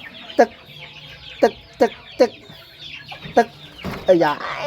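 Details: Tame waterhen raised from young and kept as a decoy, unafraid of people, calling as its owner reaches a hand toward it: sharp, clipped single notes repeated at uneven intervals, with a man's voice briefly near the end.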